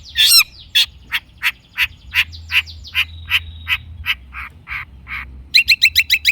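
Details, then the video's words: Long-tailed shrike song to prompt a silent shrike into singing: a harsh burst, then evenly spaced short chipping notes with a faint steady whistle, ending in quick sharp ticks. "kicau cendet gacor pancingan cendet stres macet bunyi JADIKAN cendet NYAUT GACOR"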